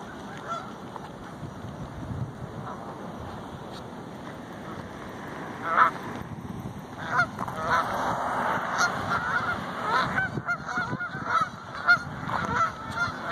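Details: Geese being fed at a workplace, the flock that chases walkers: scattered harsh honks that grow into overlapping, irregular honking from several birds, over steady broadband background noise.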